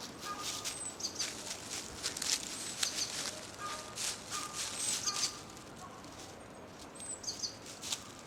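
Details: Japanese tit song among dead-leaf rustling from unsteady footsteps: faint, very high paired notes repeated in short bursts, with soft lower whistles from another bird and crackling leaves throughout.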